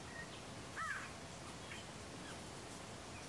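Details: Rufous-tailed jacamar calling in the Alto Paraguay Pantanal, Paraguay, February 2017: one brief, bright arched whistle with a softer echoing lower trace, set against quiet hissing ambience and faint far-off bird notes.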